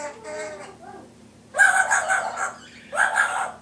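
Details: Indoor pet Timneh African grey parrot copying household sounds; soft voice-like notes, then two loud harsh bursts with rising onsets, like squawked speech or laughter.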